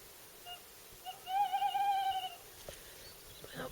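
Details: Tawny owl hooting at evening on an island in Skarvann, Aust-Agder, Norway, in late April as campers settle to sleep outdoors; one drawn-out, steady, hollow hoot lasting about a second, with faint clicks and rustling.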